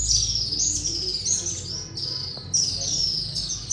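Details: Inside Katas Raj temple in the Salt Range, swallows that cannot be seen fill the space with loud, shrill twittering, a steady stream of high chirps broken by brief dips and fresh bursts.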